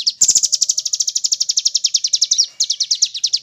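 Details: Velvet-fronted nuthatch on a training track for caged contest birds, with woodpecker sounds mixed in: a brief harsh rattle opens, then a steady stream of sharp, high, ringing chips repeats quickly with one short pause.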